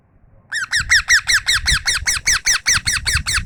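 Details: Rapid, regular squawky chirps from a tame parrot, called mithu, repeated roughly two and a half times per second, each note a rough downward-bending harmonic stack, with low rumbling background noise.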